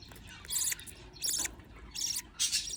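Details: Budgie chicks fed by a parent: four short, hissing, high-pitched bursts spaced about two-thirds of a second apart.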